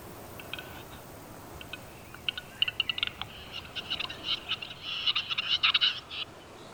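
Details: Male Western capercaillie (Tetrao urogallus) in a Serbian forest giving his display song to woo hens, overture performed high in a tree: sharp, dry clicks starting sparse and quickening into dense bursts of clattering knocks, forest quiet behind.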